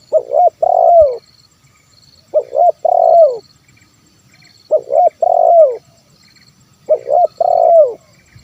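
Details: Spotted dove 'kuk 1' song used to call in wild doves. Four evenly spaced phrases come about every two and a half seconds, each two short hoots then a long, rough, descending coo. Faint high bird notes are heard behind.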